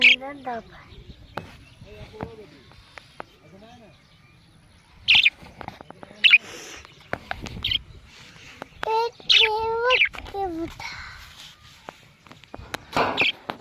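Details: Talking parrot producing warbled, speech-like syllables with wavering pitch, then sharp high squawks and a few bent, whistle-like notes, separated by short pauses.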